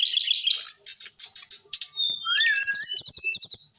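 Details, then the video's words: Rock n roll song from an eight-month-old brown-chested jungle flycatcher: bright high twittering, a rising then level whistled note, and a rapid run of repeated sharp chirps to finish. "USIA 8 BULAN BURUNG SIKATAN RIMBA DADA COKLAT ( SRDC) UDAH BISA ROCK N ROLL"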